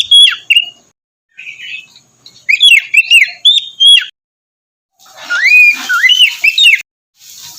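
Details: Morning song of an Oriental magpie-robin, meant to stir a quiet bird into singing: clipped whistled notes, a gap, a string of arched whistles, then a hissier burst with falling and rising whistles.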